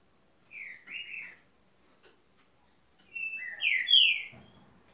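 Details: Green-winged saltator gives two soft whistled notes, then after a pause a louder phrase of three or four rich, slurred whistles with a final falling note, in a quiet setting.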